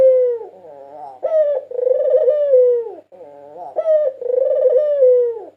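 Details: National champion 2022 white Barbary dove, recorded as a master song for luring and stimulating other doves: two long, rolling mid-pitched coos, each opening with a short rising note and then swelling and sagging, with a brief pause between.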